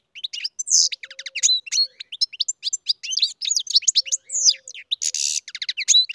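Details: Captive-bred European goldfinch in full voice, a rapid jumble of tinkling twitters, downslurred chirps and short nasal buzzes, with a faint low tone heard briefly now and then.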